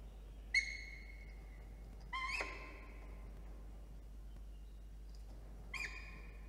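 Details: Peregrine falcon at the nest during incubation of three eggs in NSW, on a Monday morning with many arrivals and departures. Three loud, harsh, drawn-out calls with a nasal ring. The middle call is longer and dips in pitch. A steady low hum runs underneath.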